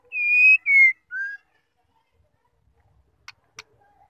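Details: Whistled call of a female white-rumped shama, played to make males sing: a long steady high whistle, a shorter falling note and a lower soft note. Two dry clicks follow after a quiet gap.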